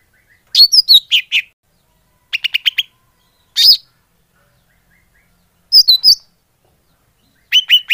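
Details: Greater green leafbird calling as a lure, mixing squeaky looping whistles with bursts of fast dry chattering notes and a few single sharp chips, separated by short pauses.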